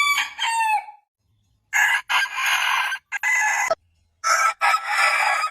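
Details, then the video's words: Harsh, noisy crowing bursts from a rooster, short rough calls separated by silent gaps, with less clear tone than a typical long crow. "Suara Ayam Berkokok Panjang Ayam Jantan Berkokok Rooster Crowing"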